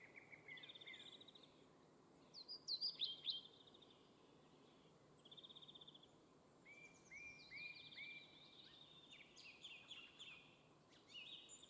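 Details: Fieldfare mother tending her brood of chicks at the nest: short rising whistled notes and thin high chirps, a burst of louder harsh, scratchy notes near the start, then quick buzzy trills and repeated upslurred whistles in steady background noise.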